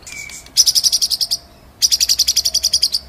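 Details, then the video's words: White-rumped shama in ngerol style: two bursts of fast buzzy high chattering notes, each about a second long, separated by a brief pause, with a faint thin whistle at the start. "MASTERAN MURAI BATU FULL NGEROL NEMBAK"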